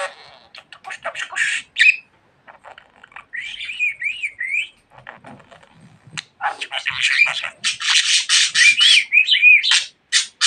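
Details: Pet budgerigar said to talk a lot, giving bursts of scratchy chatter mixed with short whistled, wavering notes, a quiet pause midway, then denser warbling run of rising and falling whistles.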